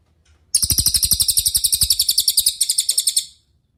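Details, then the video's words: Cililin singing as a clean training recording for other cage birds: one long, fast, high-pitched rattling trill of roughly three seconds, notes evenly pulsed, ending abruptly into quiet. "MASTERAN CILILIN GACOR – Suara Jernih Untuk Murai Batu, Cucak Ijo, Kacer"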